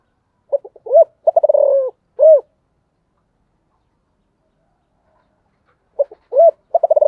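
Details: Spotted dove cooing, a stuttered start, rolling falling purr and closing coo, followed by a long silence before the phrase begins again.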